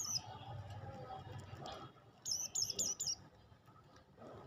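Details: Olive-backed tailorbird singing: a quick run of about six high, sharp whistled notes packed into one second, set against a soft murmur of background noise.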